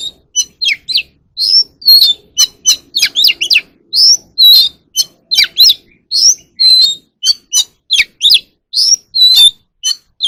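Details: Voice-training song of the Oriental magpie-robin for caged birds: a steady, lively stream of loud whistles, upward and downward sweeps and crisp chirps with short gaps. A faint low hum sits underneath.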